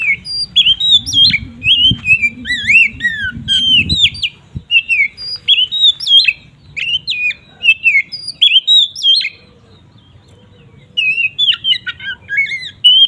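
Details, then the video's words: Oriental magpie-robin delivering its ngeplong song, a lure to make other magpie-robins agitated: a long run of varied sweet whistles, chirps and twisting slurs, a quiet gap near the end, low hum early on. "Suara burung Kacer ngeplong ini paling ampuh untuk pancingan Kacer agar emosi"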